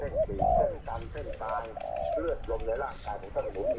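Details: Spotted dove used as a decoy, competing with a wild dove, its voice described as small to medium in pitch; mellow cooing phrases, each note arching then falling, with a man talking in the background.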